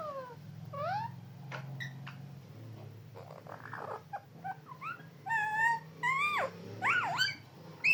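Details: Talking parrot giving a busy run of varied harmonic calls: sliding whistles, rising and falling warbled notes and short chattering bursts, growing louder toward the end, with a low hum beneath.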